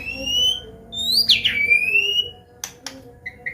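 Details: White-rumped shama, Medan type, a training song for young birds: a long, high, rising pure whistle twisting into a wavering slur, followed by two sharp clicks and soft short chirps.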